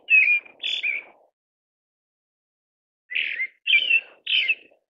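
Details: Whistled phrases of a pale thrush: two slurred notes, a silent gap of nearly two seconds, then three more rich, falling phrases delivered about half a second apart.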